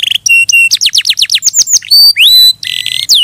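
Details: Singing canary: short steady whistled notes, a rapid series of high falling slurs, then rising whistles and a buzzy trill, all delivered fast and loud.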